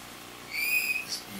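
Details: Varied thrush singing in the rain: one sustained, slightly wavering whistled tone with a buzzy ring, held about half a second before fading, over a soft background hiss.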